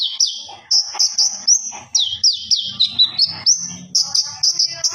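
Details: Common iora in vigorous gacor song to ngobra, recorded for use as a master: loud whistled notes that swoop downward and rise again, repeated about twice a second over soft low background rumbling.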